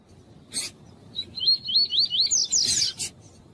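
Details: Tui-tui song of a double-collared seedeater, a tournament song style. Short clicking noise bursts come before and after a fast series of rising slurred whistles, which ends in louder, steeper upsweeps.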